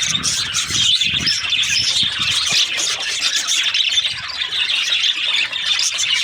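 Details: Budgerigars, also called parakeets, in breeding season give a steady wash of shrill chirps and twittering squawks, with some low rustling bumps early on.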